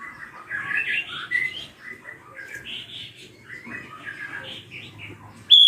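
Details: Drongo screaming, used as a lure to make young birds sing: a rapid jumble of harsh and whistled notes, shifting and overlapping, with a low hum beneath and a sharp high whistle at the very end.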